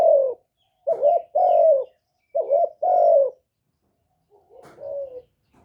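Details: Decoy spotted dove in captivity, cooing rapidly to spur other caged birds; quick pairs of a short bent note and a longer falling coo, repeated closely, ending with a softer single hoot.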